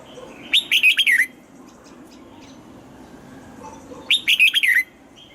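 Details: Caged red-whiskered bulbul in morning song training, giving a double-note wild-style song: two bright, rapid warbled phrases of five or six whistled notes each, about three seconds apart, with quiet hiss between.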